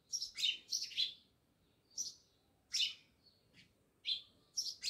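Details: House sparrows by a village house in Jamnagar give clipped, squeaky chirps in loose groups, one double chirp after another with short pauses between them.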